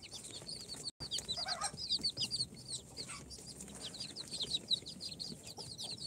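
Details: Day-four baby chicks hatched in an incubator (Sultan, Golden Sebright, Cochin, booted) chirp continuously in thin, falling peeps from several birds. The sound cuts out for a moment near the start, then soft rustling continues.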